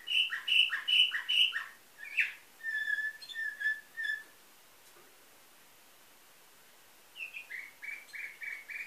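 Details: Canary bred in Varna, Bulgaria, performing nightingale-type song in 2013: loud rhythmic double-noted phrases, then clear level whistles, a silent pause of about three seconds, and a renewed series of repeated chirps.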